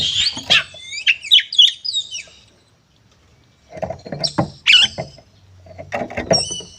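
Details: Oriental magpie-robin (kacer) fighting song to provoke other birds: two bursts of whistled, twisting notes separated by a quiet gap, mixed with repeated clattering knocks.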